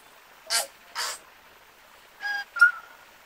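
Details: Tui song with two broad rasping bursts, a pause, then a harmonic-rich note and a clear whistled note trailing off, in a quiet setting.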